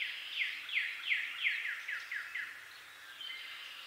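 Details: Veery singing in eastern North America: a spiraling series of about eight quick, downward-slurred notes, steadily fading and falling, followed by a fainter high trill, with steady natural background hiss.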